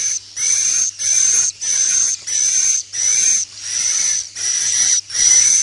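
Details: Swiftlet roosting lure call liked by swiftlets, 'inap plus' style: high buzzy whistled bursts of about half a second, repeated regularly with short silent gaps, nine in a row.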